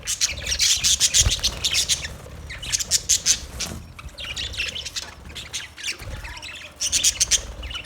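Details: A group of budgerigars chirping in bursts: rapid high twitters and squawky notes come in clusters separated by quieter gaps, with a faint low thump near the start.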